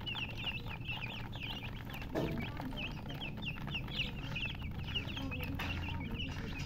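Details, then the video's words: A group of chicks gives high, V-shaped chirps spaced in short runs, with one brief thump-like noise and a low steady hum. "Baby "Chicks Chirping" Sound"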